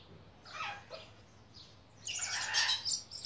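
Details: A red-and-blue lory (Eos reticulata) of a pair, a one-year-old male and a two-year-old female, recorded 15 May 2017, gives harsh, raspy screeches: one short burst, a pause, then a longer run of grating shrieks.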